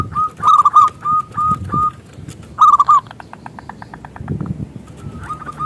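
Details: Zebra dove song meant to lure other doves: a burst of rolling notes followed by spaced repeated coos, another loud phrase, a fading run of soft pulses, then renewed cooing near the end.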